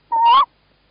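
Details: Brief call from a male tawny owl, Estonia, 11 March 2017, with the female in the nest box: one short note that rises slightly in pitch at its end, then silence.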